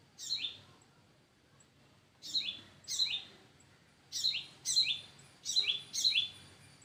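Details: Parent birds in front of their nest: about seven short, sharp chirps, each a high note dropping quickly, given singly or in pairs with irregular gaps, over quiet background.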